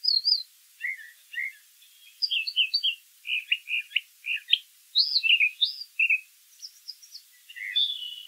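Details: Brown thrasher singing in the wild, a long mimic-like sequence of varied phrases, each note often repeated twice, from soft low slurs to sharp high chirps, with steady quick rhythm.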